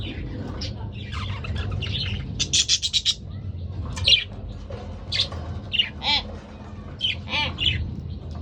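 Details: Two budgerigars kept as pets: a quick run of pulsed squeaks, then scattered sharp chirps and gravelly chatter, over a low steady hum.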